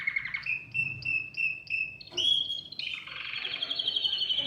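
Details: Canary song meant to encourage other birds to sing. Clear whistled notes repeat about three times a second, then a buzzy burst, then a bright, fast, rolling trill.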